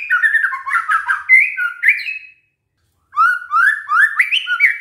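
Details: White-rumped shama song serving as a lure for other shamas: busy tumbling whistles and chattering notes, a short gap, then rising clear whistled phrases.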